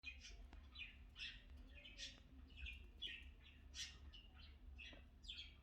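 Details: Pet cockatiel, kept indoors, grooming its owner's hair, giving soft, short, high chirps repeated about every half second, faint against a steady low hum.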